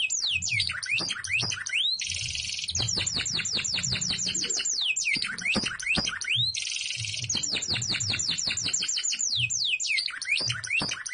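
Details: Kept canary in vigorous 'isian' song, cascades of quick descending whistles and clicking notes, two bursts of grating buzzy rattle, and sweeping upward slurs, steady and loud throughout.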